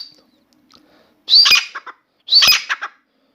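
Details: Two loud, shrill phrases from a caged Grey francolin singing indoors, about a second apart, each a piercing rising squeal trailing into two or three short choppy notes, with quiet between.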